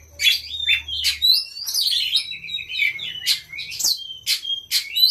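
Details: Oriental magpie-robin song played as a lure to set other magpie-robins singing: loud, varied whistled phrases with sharp high chips and sliding notes, bursts roughly every half second over a quiet background.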